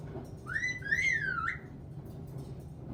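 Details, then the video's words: Pet caique parrot singing indoors: a smooth whistled phrase rising, peaking and falling in a wavy contour over about a second, with a steady room hum beneath. "Caique Parrot sings, laughs, swears, dances"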